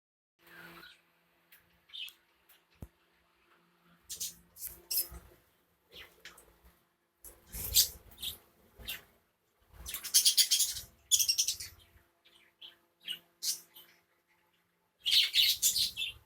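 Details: A budgerigar colony chatters with bursts of high, scratchy chirps and warbles.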